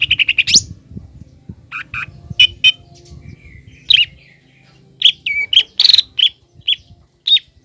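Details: Provoking song of a green leafbird aimed at making a young speckled leafbird emotional and combative. Rapid rattling notes, then paired chips, sharp whistles and harsh bursts, over a low rumbling hum.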